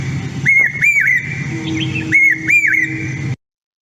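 Common Hawk-Cuckoo singing two bursts of shrill, rising whistled notes in quick repeated phrases, the familiar 'brain-fever' pattern, over a low steady hum.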